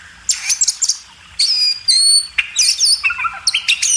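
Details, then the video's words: Training song of a kacer (Oriental magpie-robin) for cage birds: a few sharp chips, then long level whistles and quick descending slurs, ending in scattered high notes. "masteran burung kacer"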